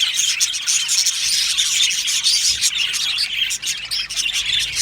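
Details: Colony of Australian budgies kept in an aviary, chirping together in a steady, unbroken wall of high twittering and scratchy warbled notes with no pauses.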